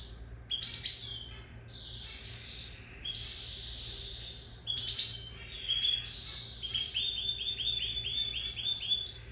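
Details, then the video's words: A lizard canary sings in separated bursts of high whistles and buzzy phrases with pauses between, finishing with a quick series of repeated double notes at high pitch, against a low hum. "Lizard Canary sings تغريد كناري السحلية"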